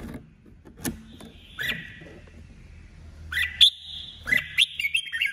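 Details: Decoy female red-whiskered bulbul singing competitively: a few rising whistled notes, then a denser closing phrase of sharp chirps and sliding whistles over a busy, noisy low background.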